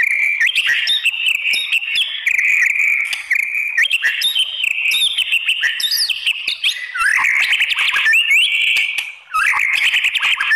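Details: Continuous, varied song of a white-rumped shama meant to provoke others: dense rich whistles, quick slurs and chattering bursts flowing for ten seconds with barely a pause.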